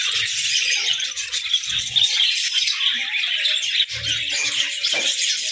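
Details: Budgerigars together in a hut, showing playful behaviour: a thick layer of high twitters and squawky warbles from many birds, with a few short chirps and low thuds heard over it.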